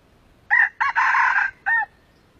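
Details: An old wild red junglefowl, the target of a luring and trapping session, gives a short, clipped crow: a brief opening note, a longer harsh middle phrase, and a short final note with a rising-falling tone. The background is quiet.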